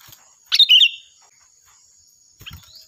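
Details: Sooty-headed bulbul in lively, loud and shrill song for training other birds: one bright, bubbly phrase of quick rising and falling notes lasting half a second, then a faint second phrase near the end, over a steady high whine.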